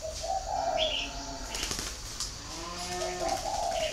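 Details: Spotted dove from a breeding farm in Ba Vì, northern Vietnam, giving low, soft coo phrases at the start and again near the end, with a faint higher chirp between them and a steady background hiss.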